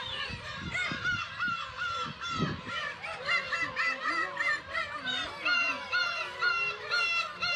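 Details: Breeding Black-tailed gulls on Kabushima, Hachinohe, Japan, on 10 June 2020, chicks present, recorded on a GoPro HERO8: layered nasal cries and repeated wailing notes from many birds, with some lower curving calls nearby.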